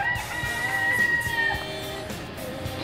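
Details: In Bermuda, a rooster that has been crowing since 3 a.m. gives a drawn-out crow, a harsh held note that fades off after about a second and a half, over background music.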